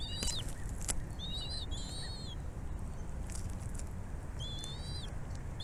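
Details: Bald eagle nest while the mother feeds her chicks: several short high whistled calls, some paired, rising then flattening, scattered across the clip among sharp clicks and taps, over a constant low background rumble.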